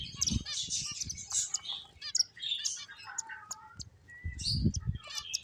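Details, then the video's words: Playful finches chatter in rapid, high-pitched tweets and short buzzy notes, plus a few thin level whistles, with brief low thuds near the start and end. "Beautiful Finches Chirping Sounds"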